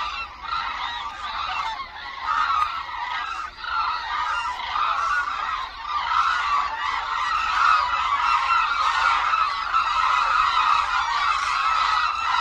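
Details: Large flock of hooded cranes performing aerial displays over Suncheon Bay Wetland, South Korea, in winter. Many birds give loud, overlapping bugling honks, about four calls a second, in a steady chorus that grows slightly louder toward the end.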